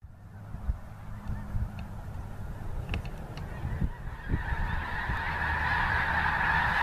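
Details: Geese over the Missouri River: honking builds from faint to a steady flock chorus in the second half, over a low rumble of wind or traffic.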